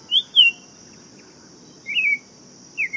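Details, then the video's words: Buff-throated Saltator giving a two-note whistled opener, then a slurred, wavering warbled phrase, then the start of another, with a continuous high hiss-like insect drone in the background. "Canto do Tempera Viola Saltator Maximus"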